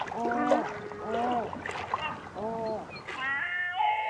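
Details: Great black-backed gull uttering several loud, nasal, down-curving yelps in quick succession, followed by a few higher, thinner notes near the end.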